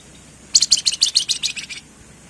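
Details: Javan fulvetta (wergan jawa) in full 'gacor' form: a dense run of about eleven high, buzzy chattering notes, repeated rapidly for just over a second, with nothing else audible.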